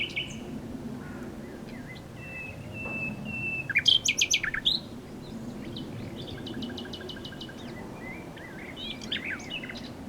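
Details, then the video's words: Common nightingale song with long sustained pure whistles, a sudden loud burst of sharp notes, then a fast even trill of repeated clicks and scattered chirps over faint low hum. "A Nightingale singing"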